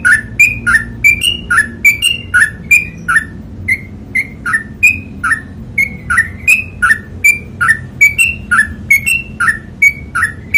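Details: Long trucukan song from a sooty-headed bulbul: a lively series of two-note whistled chirps, alternating lower and higher pitches, repeated steadily for ten seconds with slight variation in rhythm, faint background hum beneath.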